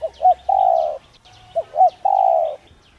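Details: Two cooing phrases of a spotted dove, meant to stimulate a dove to coo: a pair of short rising notes, then a long smooth low coo, with faint high twittering of other birds.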